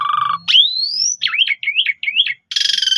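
A Javan pied starling sings a steady tone, then a long rising whistle, a run of warbling wavering notes and a harsh buzzy burst.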